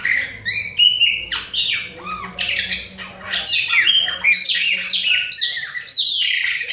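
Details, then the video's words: Restless song of a Bahian chopi blackbird aimed at other birds, a loud jumble of clear whistles, harsh squawky notes and quick downslurs, hardly pausing. "PÁSSARO PRETO BAIANO NÃO PARA DE CANTA NA CARA DOS OUTROS !"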